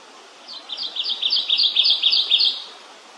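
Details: Kentucky warbler, a species of the south-eastern United States and north-eastern Mexico, singing a rapid ringing series of about eight to nine paired, rolling two-note phrases, steady and slightly accelerating over two seconds, against a quiet background.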